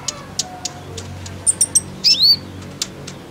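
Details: Female kolibri ninja sunbird giving lure calls meant to get males singing: scattered high ticks, then three quick chips and a buzzy downslurred double note near the end.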